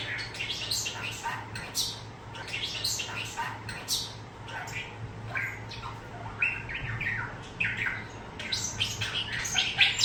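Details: Pet starling kept indoors, a young bird that took exactly four months to start copying new words and sounds from an older male; chattering squawks, clicks and whistles mixed with word-like phrases, over a constant low electrical hum.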